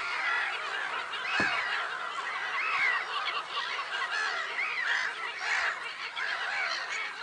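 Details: At Lake Sarymsak, Pavlodar region, Kazakhstan, on 10 April, a crowd of black-headed gulls keeps up harsh, scratchy calling, with brief sharper cries rising above the steady din and a low thump early on.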